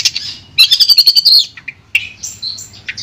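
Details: Long-tailed shrike song used as sound therapy for a shrike that has stopped singing: a high thin note, then a fast run of about ten sharp ticking notes, followed by scattered chirps and a rising whistle.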